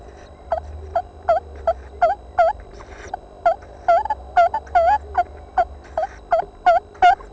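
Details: Owl at a nest box, 21 June 2013, as the male brings a mouse to the remaining owlet, which tugs it from him: a fast, uneven series of short, hooked, chirping notes, two or three a second, faint low hum.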